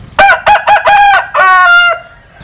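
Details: Linh Kê chicken with a strange crow: four quick choppy syllables, then a longer steady harmonic note that ends abruptly, heard close and loud.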